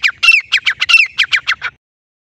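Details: Grey francolin giving a quick run of about ten harsh, squawky notes, rising then falling in pitch, all within two seconds, then silence; used as a hunting call.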